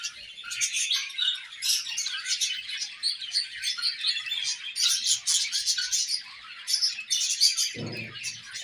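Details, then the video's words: Budgies at play keep up an unbroken, lively warble of quick chirps, squeaks and buzzy twitters overlapping one another, with a brief low thump near the end. "Budgies Singing and Chirping"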